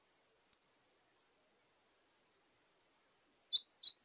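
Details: A Northern Cardinal at a bird feeder at breakfast time on 26 April 2023, with a House Finch also visiting, gives three sharp, high, metallic chips: a single note, then a quick pair three seconds later, in otherwise quiet surroundings.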